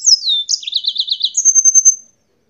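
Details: Yellow-fronted canary, a bird from Spain, singing a descending whistled slur, then a fast lower trill, finishing with a thin high trill of quick repeated notes.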